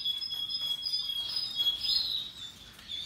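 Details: Russian yellow and Timbrado canaries singing happily; dense, warbling high trills overlap, with a sustained whistled tone running beneath rapid chattering notes for the whole moment.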